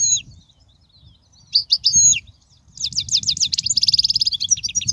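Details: European goldfinch singing, a song for teaching young goldfinches: scattered high chirps and slurred notes, then a long run of fast repeated tinkling trill phrases.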